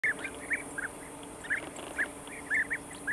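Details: European bee-eaters (Merops apiaster) near their colony in Thrace, Greece, give short, rolling, liquid 'prruip' flight calls, several birds overlapping about twice a second, over a faint steady hiss.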